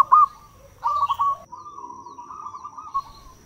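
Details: Local zebra dove singing loudly, used as a lure call for wild doves; short stuttering trilled notes followed by a long wavering mid-pitched murmur, over a faint rumbling background and a thin steady high tone.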